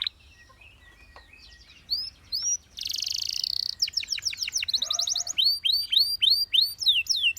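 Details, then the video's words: Canaries, described as dancing, singing: quiet at first with a few scattered notes, then a loud buzzy burst, rapid clipped trills, and a steady series of arching whistled notes. "The Sound of Dancing Canaries"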